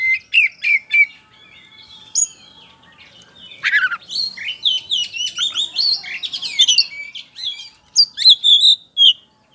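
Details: White-rumped shama, a kept bird used as a lure so others answer, in full song: several sharp whistles, then a long rich run of varied chirps, slurs and trilled notes with a few loud sharp calls at the end.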